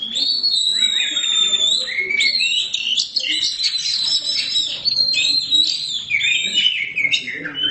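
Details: Black Oriental magpie-robin (kacer hitam), a kept bird, pouring out continuous bright song: sliding whistles mixed with fast chattering and twittering notes, barely pausing.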